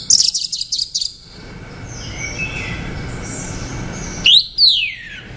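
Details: Orange-headed thrush: an opening run of high, rapid, slightly buzzy notes, a quieter stretch of soft whistles, then two loud sweeping whistles, one rising and one falling.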